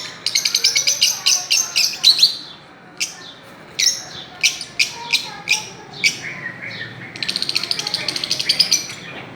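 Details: Fischer's lovebirds chirping while playing on a swing: fast strings of shrill, clipped notes, then a run of single sharp chirps spaced roughly half a second apart, ending in another rapid chatter.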